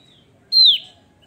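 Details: Lively Javan grey-throated white-eye giving a single bright whistle that holds level briefly and then drops sharply, following a faint thin note, in a quiet setting.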